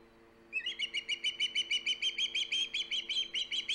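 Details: Live-cam osprey on its Hog Island nest, 3 September 2019, bursts into loud, shrill repeated chirps after a brief quiet moment, roughly three notes a second, each note a bright whistled yelp, with a low constant hum underneath.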